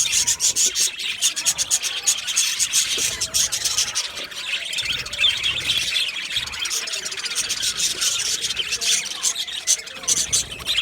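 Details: Many budgerigars in an aviary, a constant hiss-like wash of chirps, clicks and squawks from the whole colony.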